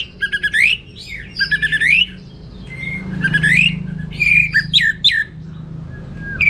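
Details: Orange-headed thrush singing lively teler-style song with abundant material: harsh, squeaky rising slurs in quick runs, staccato chip series and brief clear whistles, separated by short pauses over faint background hum.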